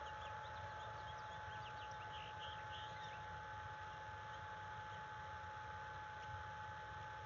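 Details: Stressed adult bald eagle at the nest, February 1, 2022, morning, with a threat close by: a quick cluster of thin, high chittering notes in the first half, then only a constant electrical hum and low rumble.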